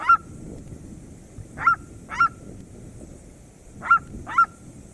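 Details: Cerrado red-legged seriema calling with short piercing yelps, first a single note, then two close pairs about half a second apart, against steady low background noise.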